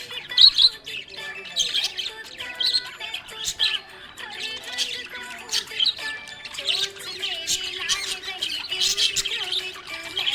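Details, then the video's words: Happy budgie chirping in scattered bursts of high, scratchy warbles and clicks, uneven in spacing, with faint steady tones, possibly music, carrying underneath. "Happy budgie chirping sound"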